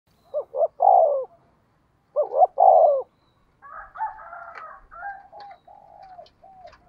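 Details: Spotted dove cooing to provoke a fight: two quick rising notes and a longer falling coo, given twice. Fainter, broken warbling notes from another bird follow in the second half.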